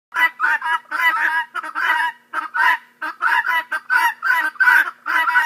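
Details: Guineafowl chorus: harsh, grating, rhythmic cackles come in quick bursts, about one and a half per second, several birds overlapping in a ragged, noisy chant with short gaps between phrases.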